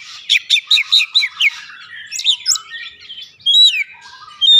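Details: Oriental magpie-robin lure song: six quick evenly spaced chirps in a row, a short scratchy phrase, then two loud clear whistles.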